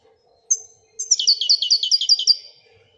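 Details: European goldfinch from Morocco giving Wedania-type song: one sharp high note, then a quick rhythmic trill of about a dozen bright notes, with a faint hum.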